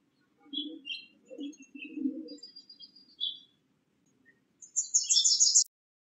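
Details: Bewick's wren at a nest box, bringing nesting material on repeated trips; a run of short high chirps and soft low knocks, then a dense buzzy rasping burst lasting about a second near the end.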